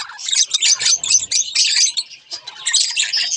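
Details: Two budgerigars warbling in quick, scratchy chatter with chirps, a softer stretch in the middle, and a faint low rustle early on.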